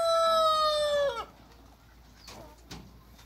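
A Light Brahma rooster holds the end of its crow as a loud, steady, brassy note for about a second, then drops off; faint clicks follow in a quiet yard.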